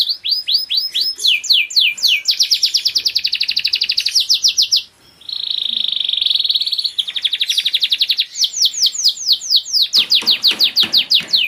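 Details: From a selected group of caged Spanish Giboso canaries comes a varied song of fast repeated sweeps, dense rattling rolls, and a smooth sustained buzzy tour. After a short break, quickening falling whistles follow.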